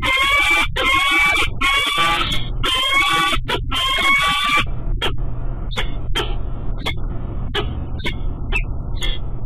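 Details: Peregrine falcon courtship at a Pittsburgh nest, March 7, 2014, about 2 PM: the male calls to his mate from the nest rail before the pair bow over the scrape, with harsh, loud wailing notes, then sharp scattered chips about once a second over low hum.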